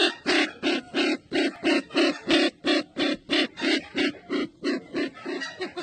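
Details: Sumatran red-eyed bird calling in a steady, even rhythm of coarse, throaty pulses, roughly three per second, each note short and broad-toned, repeated without break across the recording.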